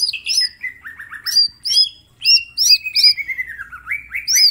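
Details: Vigorous mini green leafbird training song: high curled chirps over a fast stepping series of descending slurred whistles, later a long wavering whistled run falling then rising, nonstop delivery.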